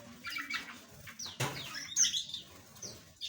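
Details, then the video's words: Small aviary birds, several kinds, chirping in quick high tweets and short downward-sweeping notes, with a loud wing-flap or rustle in the middle and soft low background rumble. "Suara Burung Asli - Jenis Burung Aviary Kecil"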